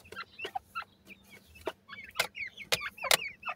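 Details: Grey francolin chicks, Indian gora teetar, giving high, wavering peeps in bursts, interrupted by several sharp loud clicks or taps and soft low notes.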